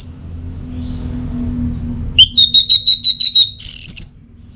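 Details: Orange-headed thrush delivers a rapid run of about eight even, clipped whistles, roughly three per second. The run ends in a shrill descending warble, with a faint hum before it.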